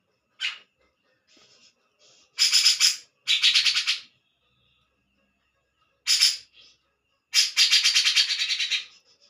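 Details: Grey-cheeked bulbul giving harsh, noisy chattering bursts, each lasting under a second, in four main bouts separated by silences of one to three seconds, with a few faint higher notes between them.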